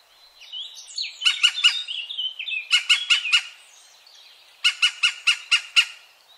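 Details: European green woodpecker, recorded 2017 at Wittlich: soft squeaky notes, then repeated bursts of loud, harsh, metallic notes in runs of four to six, the last run six evenly spaced calls.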